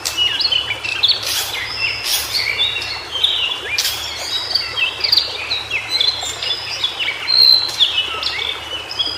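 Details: A White-browed shortwing in natural habitat pours out a dense run of high, bright whistles that slide up and down, with crackling bursts mixed through the phrases.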